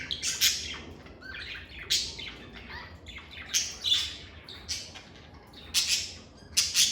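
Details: Harsh, high squawks from pet lovebirds arrive in clusters every second or so, with quieter chittering notes between them and a few squeaky whistled tones.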